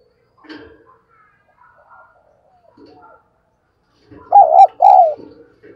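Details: Spotted dove kept as a lure bird, cooing to call in wild doves: quiet scattered notes and a soft rasp give way to one strong two-note coo, the first note wobbling and the second smoother and drawn out.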